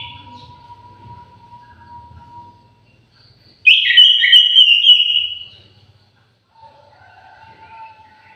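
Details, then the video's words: Aviary orange-headed thrush singing a single loud whistled phrase of about two seconds, descending and warbling, between quiet stretches with a faint steady tone and soft low background noise. "KICAU MERDU BURUNG ANIS MERAH"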